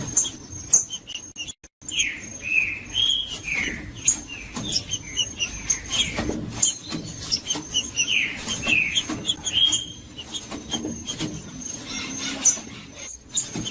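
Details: Green-winged saltator song played to warm up a cold bird: loud slurred whistles sliding down and up, repeated in short phrases, over dense high chirps, clicks and a steady thin high tone.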